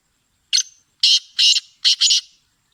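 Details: Song of a Sindhi kala teetar, or Black francolin: a clipped opening note, a pause, then four rasping, broadband notes in quick rhythm, the last two nearly joined, all within two seconds against a clean, silent background.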